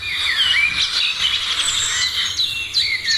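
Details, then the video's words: Several birds singing in the morning, thick high warbling and chirping with occasional sliding whistled notes. "Morning sounds of birds"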